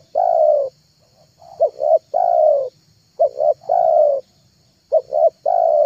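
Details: Lure call of a spotted dove played to draw wild doves, three phrases of paired short coos ending in one long mellow hooting note, separated by brief silences, over a faint high electronic hiss.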